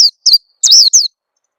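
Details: Oriental white-eye lure call meant to make birds sing: four short, high, thin notes, each sweeping down, the third longer and wavering, with brief gaps between.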